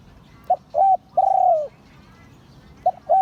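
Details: Crowing of a spotted dove, song style called Liu Tan, auspicious lineage: a brief coo, a held coo, then a long falling note, followed by the next phrase starting with two short coos.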